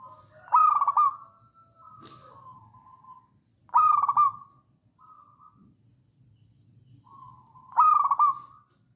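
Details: Songgo ratu style song of a local wild zebra dove from Java, played to coax other doves into singing; three loud rolling pulsed phrases about three seconds apart, each trailing into a soft level coo.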